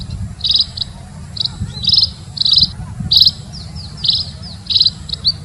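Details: Munia giving short, high buzzy chirps, some doubled, in uneven bursts roughly every half second, over a steady low rumble of background noise.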